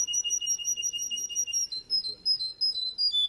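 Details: Male Russian canary delivering a pulsing tour of mellow notes, about five per second, first lower, then shifting to a higher whistled pitch.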